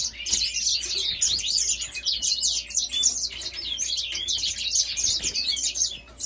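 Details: African singer or Grey singer in steady song: a fast, unbroken stream of sharp high chirps, twitters and short buzzy notes, rising and falling in loudness in quick bursts.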